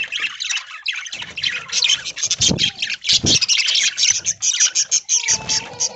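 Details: Many caged budgerigars feeding on corn in green leaves at an aviary in the early morning, giving a continuous busy warble of high chirps and scratchy notes, with a few thin whistled tones near the end.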